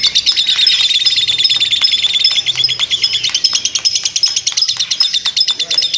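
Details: Long ngekek chattering from a lovebird: a steady stream of sharp, high chirps at about three per second, with brief piercing whistles laced through the run.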